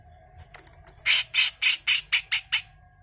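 Grey-cheeked bulbul giving a rapid run of seven harsh, rasping notes, about four a second, over a faint steady hum.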